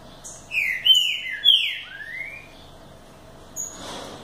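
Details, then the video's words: A green-winged saltator gives a short burst of its BDSCB song: three or four strong whistled slurs in under two seconds, the last rising, followed by near quiet. "BDSCB cantando com estilo"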